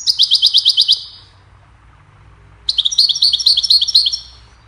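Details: Goldfinch chirping in a recording made to train songbirds: a regular string of about ten quick ringing chirps, a silent gap of over a second, then a richer, jumbled twittering phrase of bright notes.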